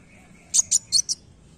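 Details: Kolibri wulung, a dark sunbird, utters four quick high-pitched chirps in a tight row lasting about half a second, then silence; a faint thin steady tone sits in the background.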